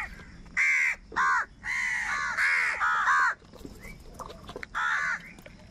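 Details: Angry crows squabbling for food: a series of loud, hoarse caws nearly back to back, then a pause and one last caw.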